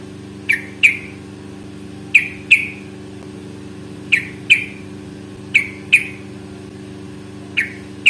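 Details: Yellow-vented bulbul, fighting sound used as a lure; pairs of sharp clipped chirps repeating roughly every one and a half seconds, with a constant low hum behind.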